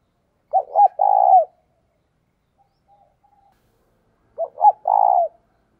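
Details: Spotted dove used as a decoy to call wild doves, delivering two identical stuttered coo phrases about four seconds apart, each two short notes then a sustained low coo, with quiet between.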